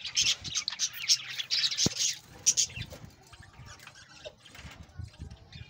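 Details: Budgerigars in a breeding colony, bright rapid chirps and warbles for the first few seconds, then quieter scattered twitters over low thumps and rustling.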